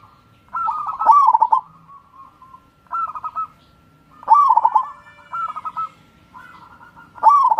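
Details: Crossing-style song of a local wild zebra dove, meant to stir lazy birds to sing: about six bubbling, stuttered coo phrases alternating loud and soft, with short quiet gaps between them.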